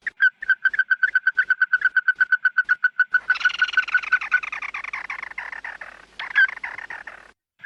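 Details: Red-eyed bird calling its flock, a lure recording: a fast run of clear, even notes repeated about five times a second, then a harsher, buzzy chattering burst with a brief loud note near the end.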